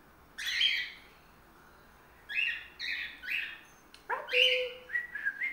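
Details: A 5-month-old male cockatiel, just starting to sing, sings bright whistled phrases on a playtop cage, with short rising and falling notes in quick bursts.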